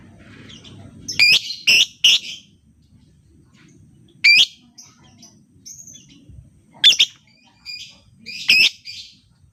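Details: Lovebird sound used as a lure to get quiet lovebirds singing: scattered bursts of harsh, squeaky chirps and shrill twittering, separated by short pauses.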